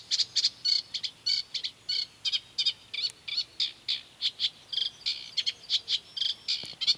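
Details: Eurasian reed warbler by the Doubrava river at Lišice, Svatý Mikuláš, on 12 July 2015, giving scratchy, chattering high notes, about three a second in an uneven steady run, with faint background hiss.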